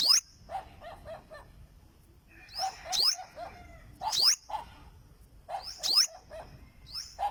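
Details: Olive-backed sunbird in song: bright, high descending whistled notes mixed with rapid series of lower twittering chips, delivered in uneven bursts.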